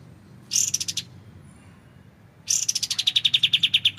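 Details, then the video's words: Kapas tembak, or white-shouldered triller, recorded clearly as tutor material for magpie-robins: a short buzzy burst of high notes, a silent gap, then a long accelerating series of sharp repeated notes. "MASTERAN kapas tembak suara jernih dengan jeda"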